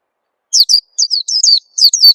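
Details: Oriental white-eye chirps used as a lure to make young birds sing: after a short silence, six or seven quick, high, falling notes run in close succession.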